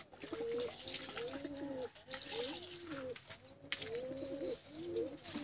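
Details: Pigeon chicks begging for food, giving arched, wavering calls repeated in bursts about every second, with soft high squeaks above and steady low background hum.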